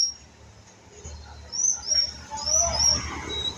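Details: Young white-rumped shama learning to sing, with thin, high whistled notes scattered through the second half. The notes come in short, uneven, halting attempts over a low rumbling background.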